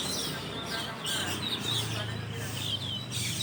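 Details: Just after dawn, a large group of Asian glossy starlings at their leafy overnight tree gives a busy chatter of thin, high squeaky calls and chirps, repeated in clusters, with a faint low drone behind.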